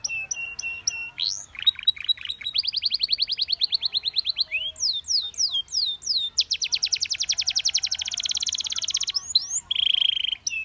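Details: Belgian canary in full song, setting off many other canaries: pulsed rolls, a long fast trill of repeated sweeping notes, steep falling whistles, then a dense buzzy trill and a closing buzzy tone.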